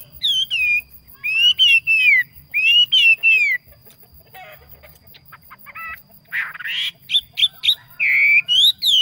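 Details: Decoy yellow phua bird singing well: repeated loud bursts of arched whistled notes in short groups, a quieter middle section, then a renewed series of rising, looping whistles.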